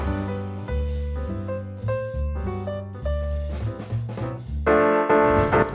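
Jazz music with piano, drum kit and double bass playing a bouncy, steady rhythm, with no animal heard.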